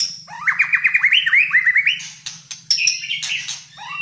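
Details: White-rumped shama of the Malaysian type singing full fighter song in a cage: a rapid string of about a dozen upswept whistled notes, then scratchy chatter and high whistles, with a low hum throughout.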